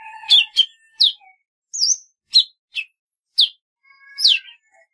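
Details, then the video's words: Song of the golden-fronted leafbird, a rapid run of loud downswept chirps and sweet whistled notes, roughly two per second, with a high looping phrase in between. "tiếng chim thanh tước"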